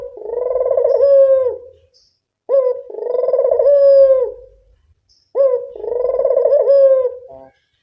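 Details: Barbary dove, local puter type, calling as a lure: three phrases, each a brief clipped note then a drawn-out vibrating coo with a falling tail, repeated roughly every two and a half seconds in a quiet setting.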